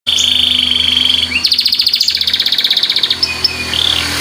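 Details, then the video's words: White canary chirping: a steady high trill, then a faster pulsed rattle of rapidly repeated notes lasting nearly two seconds, ending with short whistles; a low steady hum underneath. "suara burung kenari"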